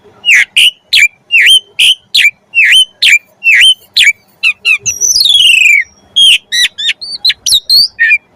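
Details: Javan pied starling song used as training material for songbirds: a rapid run of ringing, sharply inflected whistles about three per second, broken by a long harsh descending rasp, then more clipped whistles.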